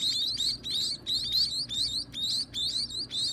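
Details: At feeding time, baby birds chirp in loud bursts of high, rising squeaks. The bursts come in quick clusters with short pauses between them.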